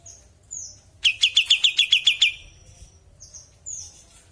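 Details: Bulbul in full voice, natural sound: a burst of eight or so sharp, evenly spaced chirps at a fast steady pace, bracketed by thin, high, sliding whistles before and after.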